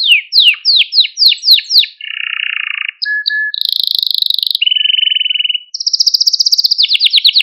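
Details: Malta canary song for stimulating canaries and training young birds: a run of quick falling notes, then a buzzy trill, short clear tones, a rolling phrase and a fast high trill at the end.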